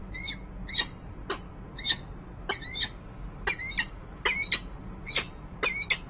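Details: Nest-cam recording of the resident female peregrine falcon, Rachel Carson building, Harrisburg, Pennsylvania, 19 January 2013, possibly calling to a male nearby: run of nine harsh, harmonic chips, growing louder and denser toward the end.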